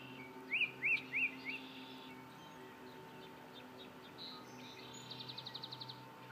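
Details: Yellow-breasted chat singing: three quick up-and-down whistled notes, a pause, then a fast even train of short clicky notes, over a steady low hum.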